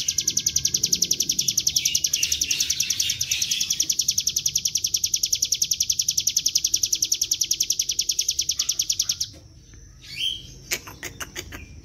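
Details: Bar-winged prinia in the gacor ngebren style, played as a lure to make the bird sing. A fast, high, regular chipping series runs for about nine seconds, then stops, followed by a few brief, separate sharp sounds.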